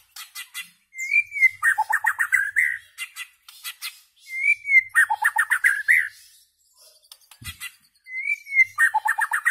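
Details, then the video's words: White-rumped shama song: a clear rising whistle slides into a rapid cascade of descending, ringing notes, the same phrase repeated three times, roughly every three and a half seconds, with high ticking notes between. "Amazing White-rumped Shama Bird Song Singing And Chirping"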